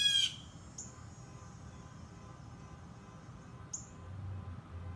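A Blue jay gives one loud, harsh, nasal squawk at the start. Two thin, high, clipped notes follow a few seconds apart over a low background rumble.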